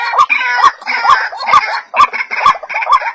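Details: Short run of white-breasted waterhen lure calls: six or seven upward-swooping croaks with sharp clicks, evenly spaced about half a second apart, with some rougher overtones between notes.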